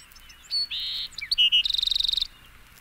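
A Bewick's Wren sings a brief high phrase: a few clear and buzzy introductory notes, then a rapid, even trill of about fifteen notes.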